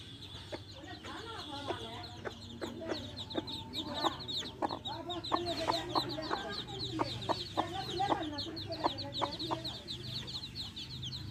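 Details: Baby chicks chirping around a hen: dense rapid high peeps, about three or four a second, over soft clucks and a low steady hum.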